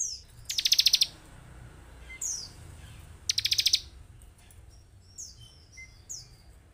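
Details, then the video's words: Bar-winged prinia song from a lure meant to excite caged birds; two short, quick bursts of very high chirps, with scattered faint slurred notes between and a quiet background. "Pancingan Ciblek semi agar cepat emosi dan cepat bunyi"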